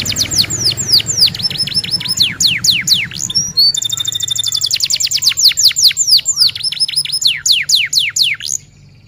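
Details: A male F1 canary sings a long, fast, high run of repeated downward-sweeping notes, rolling trills and sharp bursts, with a faint low hum beneath.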